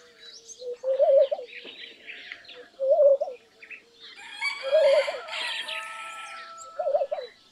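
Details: Laughing dove song: four loud, low, bubbling coo phrases, each a quick wavering cluster of notes, spaced about two seconds apart, over a busy background of chirping and twittering songbirds.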